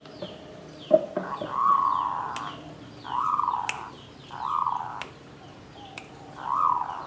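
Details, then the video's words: Caged zebra dove in a bamboo cage, singing in the Klabang Kapipit and Tumpang Sari styles (klarr kete kuk kuk): four soft, low, rolling coo phrases about a second apart, with sharp clicks and taps between them. "SUARA PERKUTUT KLABANG KAPIPIT || TUMPANG SARI || KLARR KETE KUK KUK"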